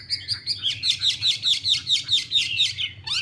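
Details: Chinese hwamei, a female dancing with fanned feathers to stimulate the male into fighting form. A fast series of bright, slurred chirps repeats about twice a second at steady loudness, then ends with a short rising whistle, over a faint low hum.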